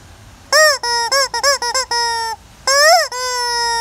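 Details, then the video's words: Hen making noise near the bushes: a rapid string of loud, nasal, harmonic notes, clipped at first, then longer drawn-out tones, one swooping up and down sharply. "Galinha que faz barulho fazendo barulho perto do mato"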